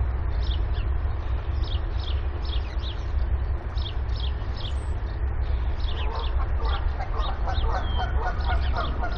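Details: Five active goslings under their mother on a nest, 28 April 2022, while she awaits the last egg: thin, high, falling peeps about twice a second, joined near the end by deeper, rougher goose calls, over steady low wind.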